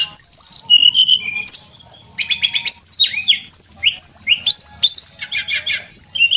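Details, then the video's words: Male Javan whistling thrush singing for cage-bird training: high descending whistles, a pause of about half a second, then rapid clipped notes, rising slurs and buzzy trills. "tledekan gunung jantan gacor buat masteran"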